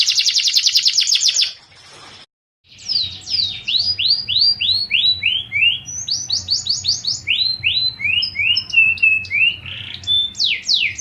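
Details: Fighting-type canary training song: a rapid trill, a short gap, then a long series of separate sliding whistles, each dropping in pitch, some doubled, with a faint low hum behind.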